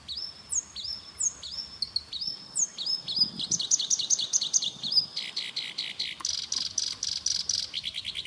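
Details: Black-browed reed warbler song: loud, varied high phrases of rising whistled notes that give way to rapid buzzy trills and fast repeated chattering series, with little background noise.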